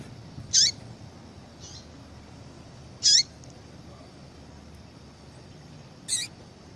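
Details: Calls of a female yellow-bellied seedeater kept to excite males into song for tournaments: three brief bright chips spaced about two and a half seconds apart, with a faint softer note between and a quiet steady background hiss.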